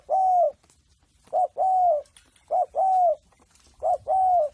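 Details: Free-range reared spotted dove in cooing practice, giving loud, steady paired coos: a clipped short note then a drawn-out, rounded, slightly falling coo, repeated about every second and a half against a quiet background.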